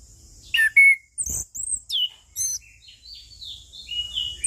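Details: Orange-headed thrush (anis kembang, punglor) singing in the relaxed ngeplong style for a training and lure recording: short separate whistled phrases, some sliding or falling, one bright steady whistle early, with quiet gaps between them.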